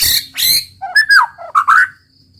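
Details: White-rumped shama, roll tembak singing said to stir rivals to sing: two harsh buzzy bursts, then mellow, lower whistled phrases rising and falling before fading out.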